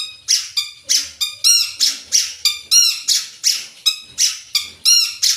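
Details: Chattering long-tailed shrike with full 'isian' song, pouring out loud, ringing, harsh notes about three per second, each with a clear lower whistled overtone, in a steady insistent series.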